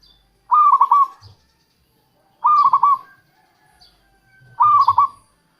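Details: Local zebra dove singing as a lure for wild doves: three short, throaty, stuttering coo phrases, each under a second long, spaced about two seconds apart in quiet surroundings.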